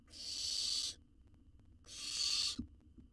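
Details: Wild owl nestling in a monitored research nest box in Israel, being fed a jird that it swallows whole; two harsh, breathy hissing screeches, each almost a second long, separated by a short pause, with faint soft knocks in between.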